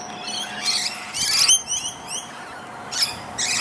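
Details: Musk lorikeets in an ironbark tree on the east coast of NSW, Australia, give shrill, high screeching bursts with rapid buzzy chatter between them over a faint hum; noisy Rainbow lorikeets in the same tree make the calls hard to tell apart.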